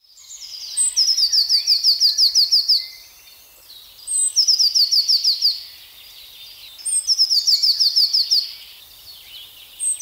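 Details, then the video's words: A Eurasian blue tit sings three high phrases, each of one or two thin introductory notes running into a fast, silvery trill, repeated every three seconds. "Vogelstimmen: Die Blaumeise"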